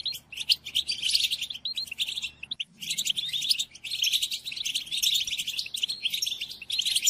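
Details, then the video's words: Captive-training recording of European goldfinch song, played to birds during moult: dense, rapid twittering and tinkling notes that break off briefly around two and a half seconds, then resume just as busily with buzzy trills. "قدم هذه الآصوات لطائرك الحسون وشاهد ماذا يفعل Chardonneret"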